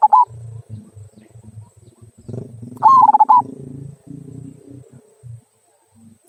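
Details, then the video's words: Zebra dove of a local strain singing the "kung" style meant to coax other birds into song: a clipped phrase at the start, then a full run of quick, bubbling coo notes, with soft low background mumbling between phrases. "Perkutut Lokal Suara Kung, Cocok Untuk Pancingan"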